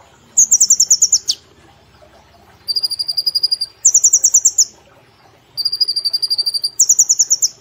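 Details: A caged brown-throated sunbird kept as a song-contest bird gives high, thin, rapid trills in one-second bursts, alternating between a higher and a slightly lower pitch, with brief pauses between.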